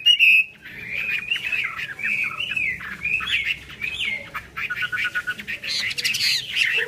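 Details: Chinese hwamei in fanned-tail song with an eagle-wing display, a varied jumble of short whistled slurs and chatter, somewhat muffled, over a low background rumble.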